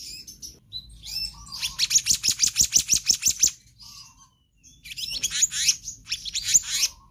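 Black-naped Monarch giving a fast run of about a dozen high, ringing notes, roughly four per second, then varied shrill chatter and squeaky phrases.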